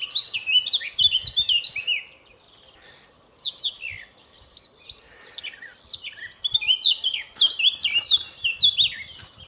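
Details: A European Robin in spring sings bursts of thin, tumbling warbled phrases, high and liquid, broken by short pauses; faint low rumbles underneath.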